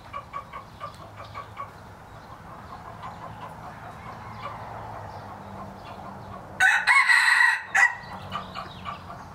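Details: A 3-year-old breeding red junglefowl rooster, a hybrid about 75% pure, gives one loud, harsh, clipped crow lasting just over a second, after several seconds of soft, quick repeated clucks.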